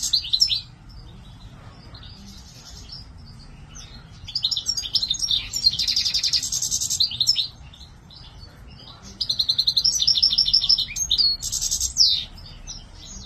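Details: Captive goldfinch delivering a lively high-pitched song of rapid twitters, liquid trills and rasping buzzes in several long phrases, with soft low-frequency background noise.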